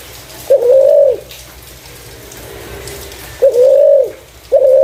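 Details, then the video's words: Spotted dove with a clear voice used to lure other doves: three level, mellow coos, the first alone and the last two closer together after a long pause; low background hum. "Burung Terkukur // Suara jernih cocok untuk pancingan"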